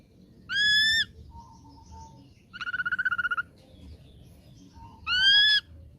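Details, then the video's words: Young wild-caught ashy drongo singing vigorously: a loud harmonic whistle, a quieter fast rattling trill, then another bright whistled phrase, separated by short pauses. "KICAU GACOR BAWAAN MUDA HUTAN SRIGUNTING ABU ABU"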